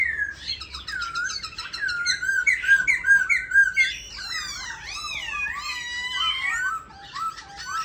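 A black laughingthrush sings a continuous, varied run of rich whistled phrases, some rolling and warbled, others sliding up and down, with no pauses for about eight seconds.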